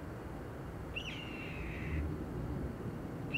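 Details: Steller's jay perched at the top of a tree, giving one drawn-out, level, slightly rough call lasting about a second, then the start of another, over a low steady background rumble.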